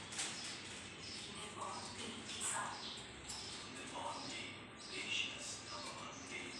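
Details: Three parrots, apparently ringnecks, share one cage without fighting; they chatter in harsh, scratchy bursts about once a second, with speech-like babble and a few brief high whistled notes.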